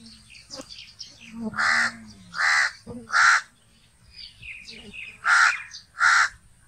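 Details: Crow cawing in rough, nasal bursts, five strong caws in two groups, while faint chirps from small birds come through in the background.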